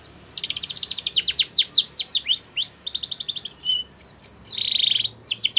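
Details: Spanish Timbrado canary singing for training: fast rolling trills, falling whistles, a pure tone held briefly, and a dense buzzy rattle before a final trill.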